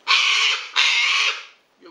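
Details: Rescued Sulphur-crested Cockatoo screeching while a vet examines him: two harsh, broad, raspy screams, each about half a second long, given back to back, followed by a brief quieter sound.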